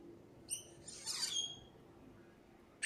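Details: A lost blackbird gives a high squeaky chirp, then a second-long burst of thin, falling, scratchy notes, and ends with a short sharp note, over a quiet low hum.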